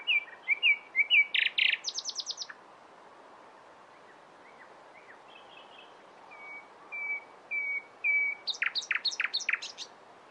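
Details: Nightingale singing: a run of sharp repeated notes and a burst of buzzy clicks, a pause, then a string of soft level whistles ending in rapid, steeply falling notes.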